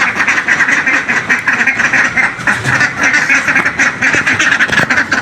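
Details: Group of ducks clamouring for food while refusing to eat: steady overlapping harsh quacks from many birds, rapid and unbroken, with a faint human voice beneath.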